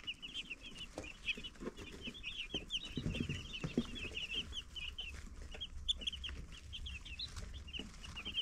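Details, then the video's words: Live-cam baby chicks chirp nonstop: dense strings of thin, high peeps from a group of chicks, with some scratching and shuffling sounds and a faint low drone. "Cute Baby Chicks Chirping"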